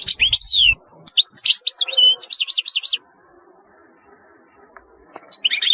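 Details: European goldfinch singing: bursts of rapid high twittering with chirps and buzzy, tinkling notes, broken by a silent pause of about two seconds before the twittering resumes.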